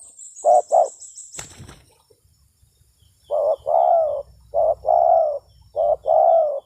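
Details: Spotted dove, locally called tekukur, in a lure recording for attracting doves: low hollow coos in pairs and longer phrases, a brief pair, then three two-part coo groups; a sharp clap-like noise near the start and a faint high whistle above.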